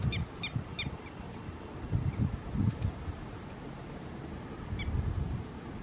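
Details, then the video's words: Red-wattled lapwing calling outdoors: a few sharp high notes at the start, then a rapid run of about eight clipped, piercing notes, with a last lone note near the end, over steady low rumbling background noise. "Red-wattled lapwing Call | टिटवी चा आवाज"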